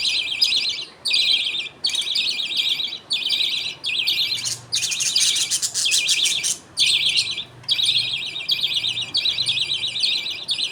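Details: Captive budgie colony at feeding time, the father feeding two chicks a millet food paste while the mother watches and others wait; dense, high, warbling chatter comes in bursts of about a second, broken by brief pauses.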